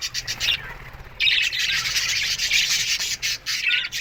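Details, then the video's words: Aviary budgerigar colony in the morning: a softer patch of chirping, then a loud, steady burst of busy, scratchy chatter from many birds after about a second. "Budgies Morning Chirping Sounds"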